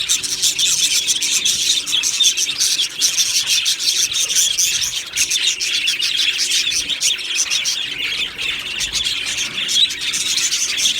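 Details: Australian budgies chirping in an aviary colony on 1 July 2025: a steady wall of overlapping high, scratchy twitters and chirps with no pauses throughout.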